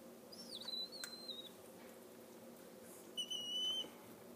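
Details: Young foster-reared Mississippi kite, abandoned and fallen from a tree in Oklahoma heat, begging while hand-fed: two thin, high whistles, a long slurred note that falls away, then a shorter level whistle about two seconds later.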